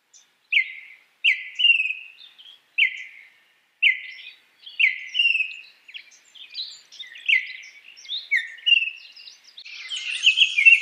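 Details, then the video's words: A Baltimore oriole gives rich, whistled notes and short slurred phrases, roughly one every second, over faint background hiss that grows louder toward the end. "Baltimore Oriole Bird, Som, canto de pássaro"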